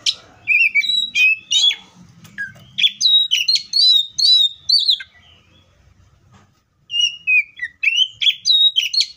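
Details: Wild Oriental magpie-robin delivering a rich, rapid song of bright whistles and quick slurred notes, dropping briefly silent before another fast, varied phrase starts.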